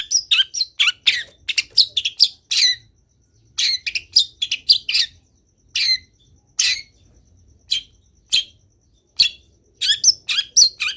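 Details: Vocal Long-tailed shrike in full song with many fill-in phrases: a rapid run of varied sharp notes, a short pause, then spaced single harsh and whistled notes.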